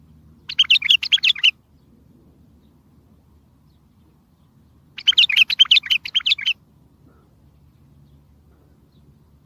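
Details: Bulbul song to lure other bulbuls and make distant ones reply: two similar chattering phrases, each about a second long and roughly four and a half seconds apart, over soft low background noise.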